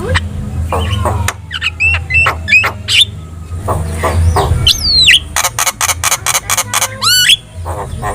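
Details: Javan myna song used to get other birds answering: scattered clicks and short whistles, a rising slurred note, then a fast row of harsh clicks ending in a looping whistle, over a low rumbling background.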